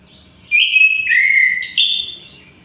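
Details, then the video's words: Sunda white-eye singing day and night: a clear high whistled phrase of sustained notes, dropping, then stepping up again, lasting about two seconds, background quiet. "Anis kembang gacor siang malam"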